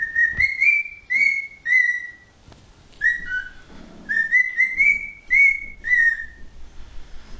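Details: Thirteen-year-old male pet cockatiel indoors, still learning words; loud clear whistled notes, mostly rising then dipping, strung in two quick phrases with a short pause between, ending with a person calling to the bird.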